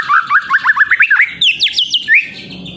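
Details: Young white-rumped shama in spotted juvenile plumage, singing to prompt other birds to sing: a rapid run of sharp whistled notes sweeping up and down, then higher clear slurred whistles, loud and close.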